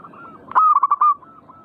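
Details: Zebra dove (perkutut) singing in manggung style: one loud cooing phrase of a sharp onset then four or five quick rolling notes around one pitch, with fainter echoing coos before and after.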